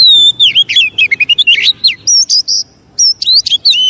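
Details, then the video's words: Oriental magpie-robin lure song for provoking other magpie-robins: a pure whistle opens into a fast tumbling stream of slurred notes, then loud buzzy bursts, a brief gap and more ringing whistles. "Pancingan burung kacer biar cepat emosi"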